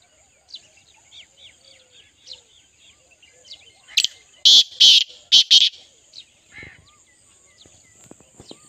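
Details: Loud, harsh partridge call of four or five rasping notes delivered quickly in the middle, surrounded by light chirping of other birds and a faint low thump afterward.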